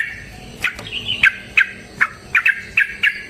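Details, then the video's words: Yellow-vented bulbul delivering a fighting song, played to lure others into singing. Spaced, slurred whistled notes and short doubled phrases come roughly every half second over a faint hiss. "TRUCUKAN GACOR TARUNG ROPEL PANJANG"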